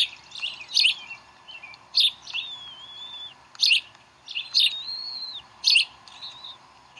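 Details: High chirps from bald eagles at their Decorah nest during a chick feeding on 11 April 2012. The chirps come in pairs, and long, thin whistled notes waver and slide between them.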